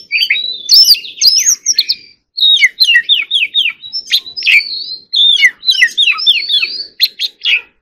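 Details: Oriental magpie-robin giving its rapid 'hót líu' fighting song in three bursts split by short silences, each a quick cascade of sweet downslurred whistles and chirps.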